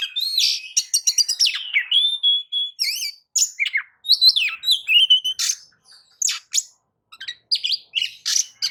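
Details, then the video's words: White-rumped shama, a lure recording meant to prompt other birds to sing, delivering a varied rush of whistles, sharp clicks and buzzy chattering notes with abrupt pitch jumps and brief pauses. "kicau pancingan kacer gacor pagi sore siang malam"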